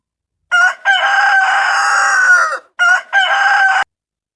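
A rooster gives a loud, harsh cock-a-doodle-doo stretched over two seconds, followed by a second, shorter crow that is cut off.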